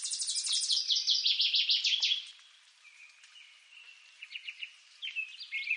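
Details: Song of a Northern waterthrush, eastern North America: an emphatic run of fast, descending repeated chips for about two seconds, then quieter intermittent chirping notes afterward.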